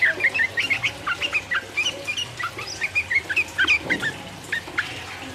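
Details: Rival-provoking 'ropel uplik uplik' song of a sooty-headed bulbul: lively series of whistled, slightly buzzy notes in rapid bursts, continuing steadily for over five seconds with brief gaps between phrases.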